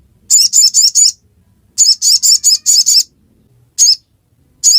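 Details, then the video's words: Two fast series of five high chirps from a ruby-cheeked sunbird in ngiriwek song, followed by two single notes; quiet otherwise. "Kicauan ngiriwek pastikan sogok ontong bahanmu ikut bunyi"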